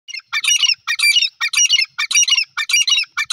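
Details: Wild francolin (teetar) calling loudly: harsh, grating multi-note phrases repeated rapidly about twice a second, each a raspy burst of squawky syllables, steady and insistent throughout.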